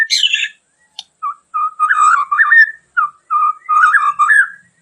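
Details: Whistled phrases from a white-crowned shama, a song variation for training and provoking other birds. After one sharp high burst come spaced, liquid, wavering whistles with short gaps between them.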